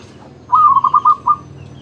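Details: Champion zebra dove singing without pause: one bubbling phrase of about six quick, rolling coo notes, roughly a second long, over a low background hum.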